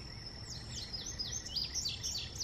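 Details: High, quick indigo bunting notes, thin slurred chirps tumbling one after another in a brisk run, set against broadband hiss and a steady high-pitched tone.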